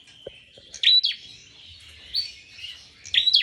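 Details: Prinia singing energetically: a few sharp high chirps with quick upward flicks, separated by short pauses over a faint low rumble.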